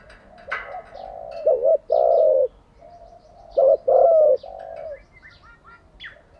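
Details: Spotted dove cooing, recorded for training wild-caught and decoy birds daily: short double coos followed by a longer drawn-out coo, repeated in two phrases, with faint chirps of small birds in the background.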